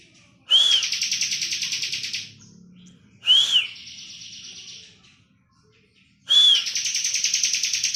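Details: Ngebren-style song of a bar-winged prinia, used for tutoring caged songbirds. Three bursts, each a thin whistled note plus a buzzy pulsing trill; the middle trill is shorter, and a quiet pause comes before the last.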